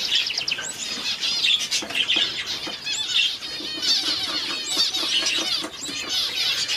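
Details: A two-day-old star finch chick gives thin, high, rapid cheeping that runs almost without pause, with several overlapping squeaky peeps and chirps around it.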